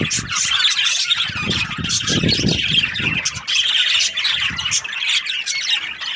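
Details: Several budgerigar breeding pairs chattering constantly, with squawky high chirps and warbles layered together, plus low rumbling and knocking noises underneath.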